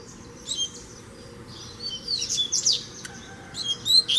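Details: Free-flying double-collared seedeater answering a caged rival: scattered high chirps and slurred whistled notes build into a quick twittering phrase, then a sharp click and a final bright rising note.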